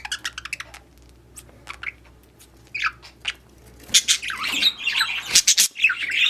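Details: Budgerigars in a breeding setting, chirping during mating: scattered sharp high chirps early on, then a denser run of squeaky, scratchy chatter in the final seconds, with a faint low hum behind.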